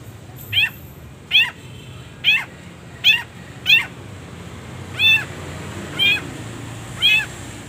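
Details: Long-tailed shrike, kept as a caged bird, in a training recording with many pauses: eight harsh, harmonic, mewing notes, each dropping in pitch, spaced roughly a second apart, over a steady low background hum.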